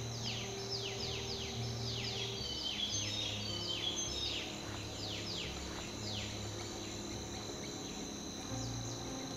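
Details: Black-rumped flameback giving a rapid series of sharp, downward-sweeping high notes, several per second, that run together into a rattling string. A steady low hum runs underneath.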